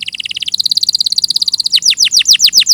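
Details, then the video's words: Canary song, clean recording: a fast even trill that steps higher, then breaks into loud descending swept whistles. "Masteran suara burung KENARI"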